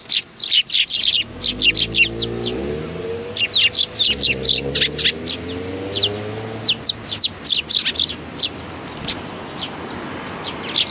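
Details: Sparrows recorded on 29 May 2019, giving a busy run of short, high chirps in rapid bursts. A low, wavering hum runs underneath through the middle of the recording.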